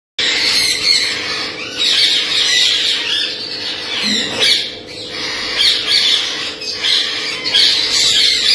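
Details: Blue-headed rainbow lorikeet parrot: harsh, screechy squawks run almost without pause over the full stretch, loud and high-pitched, with brief dips in volume between bursts.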